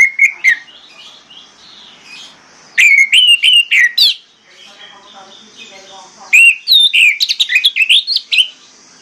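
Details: Orange-headed thrush singing as a training lure for birds that stay silent: loud bursts of clear whistles and sharp chipping notes, separated by a soft, quieter warbling passage.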